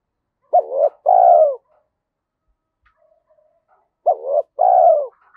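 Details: Two cooing phrases about three seconds apart from a spotted dove in the thổ-style Thúc Đấu voice, suited to the forest when setting traps; each a short wavering note then a long falling coo, with faint soft notes between.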